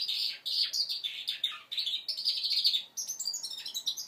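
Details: A five-month-old goldfinch mule practising its song pours out a rapid, unbroken stream of high twitters, chirps and buzzy trills with a few quick falling notes and brief breaths between phrases.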